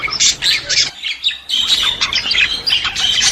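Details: Budgerigars used to stimulate other budgies: dense, harsh warbling chatter of scratchy notes and squeaks, broken by a short pause near one second, then resuming just as busily.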